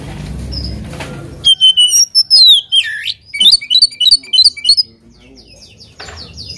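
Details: Oriental magpie-robin song meant to provoke a rival: after a noisy start, loud whistled notes and a deep slur, then rapid repeated chips, then fainter scattered notes.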